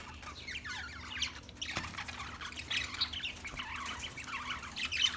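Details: Budgerigars chattering continuously: warbled, scratchy notes and short squawks tumbling over one another, with a faint steady hum underneath.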